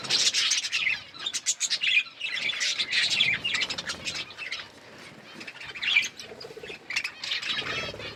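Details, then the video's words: Eating and playing budgerigars chatter in fast, bright, buzzy chirps, loudest at the start, then softer warbling that picks up again toward the end. "Birds eating food budgies chirping sounds and playing"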